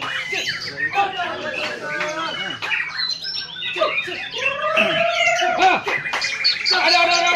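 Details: White-rumped shama at a songbird contest in Lhokseumawe, Aceh, on 22 September 2019, where it took first place; varied rapid song of whistles, chirps and squawky notes, with other birds and background noise.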